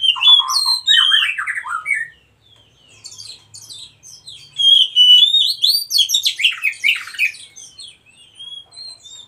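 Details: Wild Oriental magpie-robin, white-breasted type, delivering a varied song: descending whistled slurs, a brief pause, then dense bursts of high chirps, trills and sharp upslurred notes, about three per second, fading toward the end.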